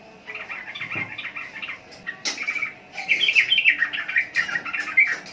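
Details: Sooty-headed bulbul (trucukan) singing: bursts of quick chattering, warbling notes, with a louder, brighter run of bubbly phrases in the second half.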